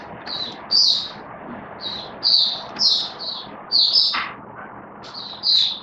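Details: Oriental white-eye, a hobby cage bird recorded 19 September 2022, sings repeated high chirped notes in pairs and short runs, with one sharp knock midway and low hum beneath.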